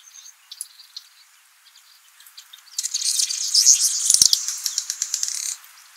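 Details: A male Rüppell's weaver building its nest in Jeddah, Saudi Arabia, gives a dense, buzzy, sizzling chatter of rapid high notes, swelling after a quiet start with scattered chirps.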